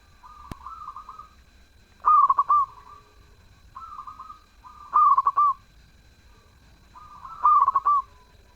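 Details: Repeated zebra dove song: a loud phrase of rapid clipped coos ending in a longer note, roughly every two and a half to three seconds, with quieter drawn-out cooing phrases between them.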